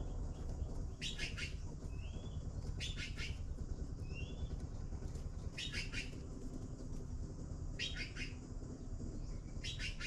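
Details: Blue magpie nestlings waiting for food: harsh, raspy broadband bursts of two or three quick pulses every two to three seconds, with thin rising whistles from another bird and a steady low rumble throughout.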